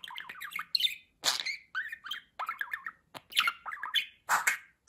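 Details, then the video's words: Pet budgerigar chatters in mimicked speech, raspy syllables woven with looping warbled whistles and squeaky chirps, nearly continuous throughout. "Konuşan Muhabbet Kuşu"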